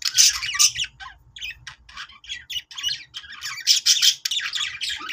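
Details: Happy budgie sounds meant to set other budgies singing: quick runs of sharp chirps and rasping squawks, in clumped bursts with short pauses between them, over a faint low hum.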